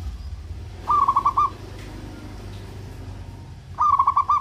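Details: Two rapid runs of rounded stuttering coos, each about half a second long, from a local zebra dove singing to stir its rivals' emotion and breeding drive, over a steady low hum.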